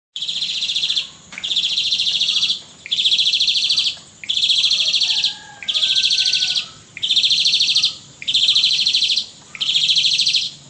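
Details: Asian pied starling singing in pumping style, recorded 4 April 2018: loud, buzzy, rapidly pulsed high bursts about one second long, repeated steadily with short gaps, eight phrases in a row.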